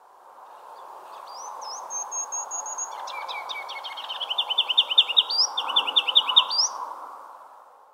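A Ruby-crowned Kinglet sings: thin high notes, then a quick jumbled twitter, ending in loud rapid repeated phrases about six per second, over steady low background hum.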